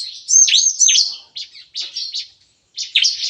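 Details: Caged bar-winged prinias in an aviary cage at a breeding farm, singing in the morning in a lively 'nembak-nembak' (shooting-like) style: bursts of high, sharp chirps and rising-falling whistled notes, with brief silent gaps between phrases.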